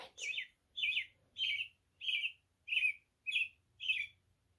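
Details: American robin (Turdus migratorius) in spring sings seven short, clear caroling phrases, a little under one per second, each a rich warbled whistle; otherwise quiet.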